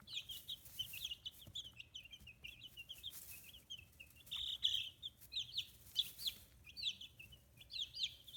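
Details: Chicks aged fifteen days, newly feathering, kept free-range in Kitahiroshima, Hiroshima, produce a busy chorus of thin descending peeps, some louder bursts, with faint shuffling in the background.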